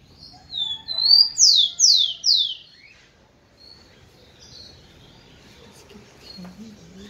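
Rufous-collared sparrow song: a couple of thin high whistles, then three loud, sweet downslurred notes, followed by faint background chirps.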